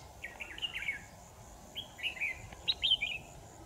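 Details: Red-whiskered bulbul used as a decoy bird for trapping, recorded 10 December 2018: three short bursts of bright, warbled whistles with quick rising and falling notes, set against a faint steady background hiss.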